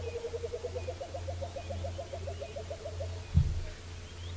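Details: Burchell's Coucal, heard on a sunrise safari drive at Djuma, Sabi Sand, on 8 July 2017, pours out a bubbling run of hollow low notes, about eight a second, drifting down over nearly three seconds above a steady engine rumble.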